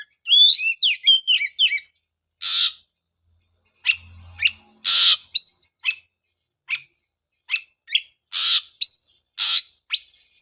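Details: Oriental magpie-robin song aimed at restarting a bird silent after its moult: an opening run of quick whistled slurs, then a scattered series of sharp chips and harsh rasping notes with short gaps.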